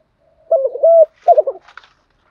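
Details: Spotted dove used as a trained decoy to stir newly caught birds into cooing. A single low, mellow coo phrase: a rolling opening, a drawn-out smooth note, then a brief throaty tail, with a faint higher chirp after.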